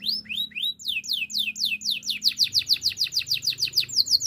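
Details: Canary singing for training: a few spaced downward-sweeping whistles accelerate into a rapid, rhythmic run of descending chirps, roughly three or four per second.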